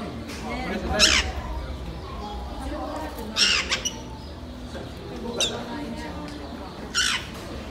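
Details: Black-headed caique at Orbie Yokohama giving four harsh, screeching squawks spaced two seconds apart, over a low murmur of people's voices.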